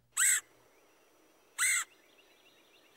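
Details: Red-headed Woodpecker giving a raspy call that seems to begin with a 'qu' sound, like 'queer': two short harsh notes about a second and a half apart, on a quiet background.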